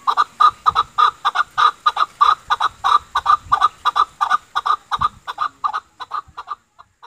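Chukar giving a rapid run of harsh, clucking chuk notes, about three per second, speeding up and then trailing off into a few last scattered notes.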